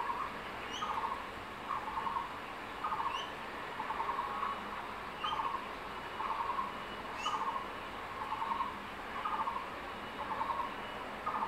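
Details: Male crested goshawk carrying a caught tree lizard near the nest in secondary forest, calling his mate to lunch. Pulsed chattering bursts repeat steadily about every second. Brief rising whistles from other birds sound faintly.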